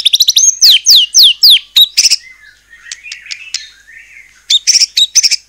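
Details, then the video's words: White-rumped shama in song, used to make other shamas respond: sharp descending whistled strokes, scratchy notes, a quiet gap, then quick high chattering bursts. "murai batu gacor AMPUH buat PANCINGAN murai batu agar bunyi JADIKAN burung murai gacor EMOSI NYAUT"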